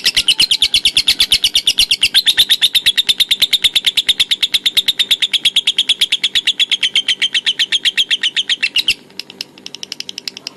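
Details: Lovebird ngekek konslet: nine seconds of fast, high, chattering trill pulses at a steady pace, ending abruptly, followed by a few faint chirps over a low background hum.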